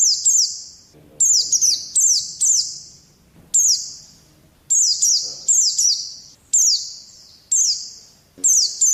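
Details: Oriental white-eye song used as therapy audio to rouse lazy pet birds into singing: loud, high, shrill phrases with quick falling sweeps, repeated roughly once a second with short gaps.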